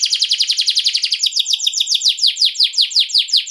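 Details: Atlantic canary performing a rolling trill used as a lure to draw replies from other canaries: rapid, even series of bright downward-sweeping notes that shifts after about a second into a slower, deeper roll of repeated notes.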